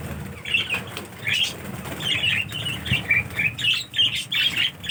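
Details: Budgerigars from the owner's first successful breeding give quick, scratchy chirps and warbling chatter in short bursts.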